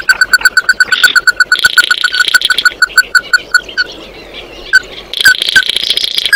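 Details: Flock-calling song of an Oriental white-eye: a steady train of clear, evenly spaced notes at a moderate pitch that slows and fades, then a return of higher buzzy twittering.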